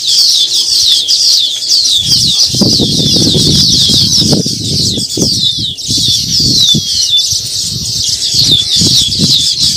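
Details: Baya weavers at their new nest, a colony chattering continuously: dense, high, scratchy twittering and sizzling trills overlapping without pause, with low soft thumps and rustling from wings and nest movement throughout.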